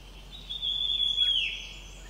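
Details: Jungle myna in the middle Himalaya, a plains bird recorded at a higher altitude than ever before, gives one loud, drawn-out high whistle that rises slightly, then levels and fades over about a second.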